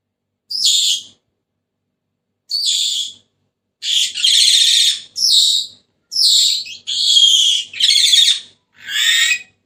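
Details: Senegal parrot, a pet bird, calling with a series of rough, screechy squawks that start widely spaced and then come in quick succession, eight bursts in total with no other sounds.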